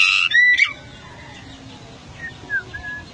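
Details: Rare Golden myna, endemic to Papua, gives a loud harsh rasping burst, then a sharp rising whistle. Softer short whistled notes follow against a hissy background.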